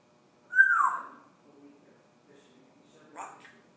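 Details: A pet African grey parrot says "Rock Chalk Jayhawk" in a human-like voice: one long, drawn-out syllable sliding downward, then a shorter clipped sound after a pause, in a quiet room.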